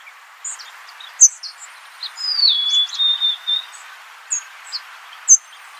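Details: Golden-crowned sparrow giving one long, thin whistled phrase that slides down and levels off, set among scattered high chirps and ticks from other birds.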